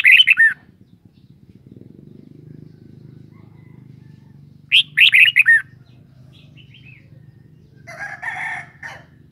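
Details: Red-whiskered bulbul repeating a short song phrase of four or five slurred whistles at the start and again midway, then a scratchy, buzzy chatter, over steady low hum.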